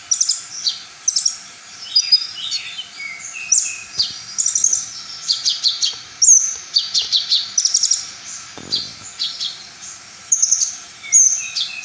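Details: Brown-throated sunbird pouring out a full-repertoire song said to provoke rival sunbirds. It is a dense run of very high, rapid chirps, short trills and bright whistled notes, almost continuous across the clip.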